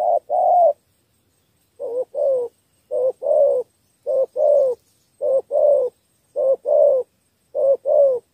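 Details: Three-note thổ coo of a spotted dove, a call for winning over wild field doves: evenly spaced pairs of low, rough notes, each a quick short coo then a fuller, longer one, about every 1.2 seconds.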